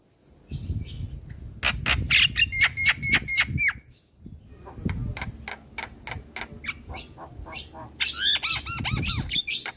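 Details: Javan myna in a training recording played each morning for unschooled mynas. Rapid rattling clicks and repeated nasal notes over low rumbling background noise, then a pause and a fast run of harsh chatter with squeaky whistles.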